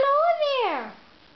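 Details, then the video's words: Goffin's cockatoo saying "hello there" in mimicked human speech: one drawn-out, harmonic-rich voiced sound that rises slightly, then glides down over about a second and fades, in a quiet indoor setting. "Goffin Cocktatoo saying Hello There"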